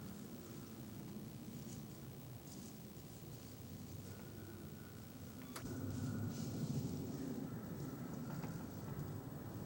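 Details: A steady low vehicle rumble and indoor hum, with a sharp click near the middle and a louder stretch afterward.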